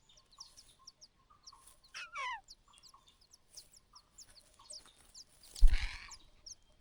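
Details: Mother bird calling in alarm, possibly warning of nearby danger: a harsh, loud downward-sweeping call lasting about half a second, with soft repeated high chirps throughout and a heavy thump near the end.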